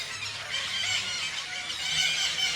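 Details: A flock of parakeets, countless in a tree at Garo Para, screeches in a dense, continuous chorus of shrill, grating calls that overlap without pause.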